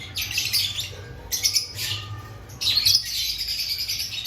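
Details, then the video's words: Lovebirds in an aviary ahead of breeding season: scratchy, high-pitched squawks in uneven bursts separated by short pauses, over a constant low background hum. "Before breeding season Check your love Bird activity"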